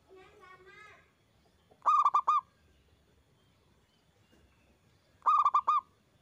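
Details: Zebra dove singing loudly in a lure recording to stimulate other doves. A brief chattering call from another bird opens, followed by two quick bursts of five mellow, rolling coos.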